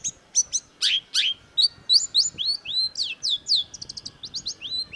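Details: Long-tailed shrike (cendet) singing actively in a masteran training recording, a rapid, varied medley of chirps, downslurred whistles and squeaky high notes tumbling together with hardly a pause.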